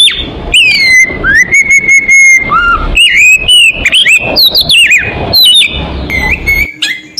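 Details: Lure song of an oriental magpie-robin meant to attract birds: long sustained whistles broken by sharp upward flicks, chattering bursts and bouncing slurred notes, delivered continuously.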